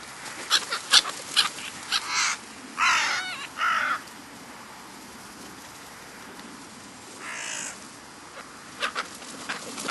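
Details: Summer calls of black-headed gulls in the New Forest, Hampshire, England, July 2009: scattered sharp clicks and yelps, then harsh, drawn-out screeches near the third and fourth seconds, a quiet gap and one more rasping call.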